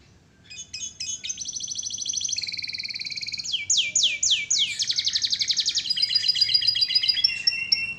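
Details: Canary song used as masteran: a soft start builds into a high even trill, a lower roll, loud descending swoops, then fast chattering two-tone notes.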